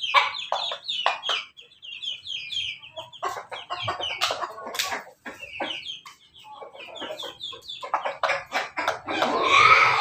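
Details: Laughing-chicken-type rooster crowing in rapid, choppy runs of cackling, laughter-like syllables, several bursts a second, ending in a rough burst of noise.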